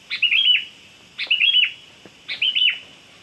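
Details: Sooty-headed bulbul, known locally as kutilang, recorded as a lure to attract birds: three short, bright phrases, each a sharp opening note then a quick run of warbled whistles, repeated roughly every 1.1 seconds over a quiet background.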